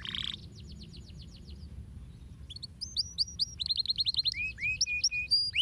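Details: Canary song played to stimulate other birds to sing: fast high trills and rapid repeated chirps, a short buzzy burst at the start, then a gap, then sweeping whistled notes and rolling trills growing louder.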